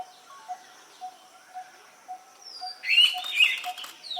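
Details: An Indian pitta calling to its partner gives two loud, clear whistled notes in quick succession near the end, over a steady series of soft, low pips repeating about twice a second.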